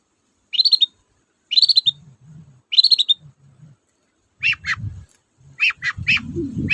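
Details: Long-tailed shrike lure recording for birds reluctant to sing: three quick stuttering trills, then clusters of sharp clipped notes, with low rumbling noise growing toward the end.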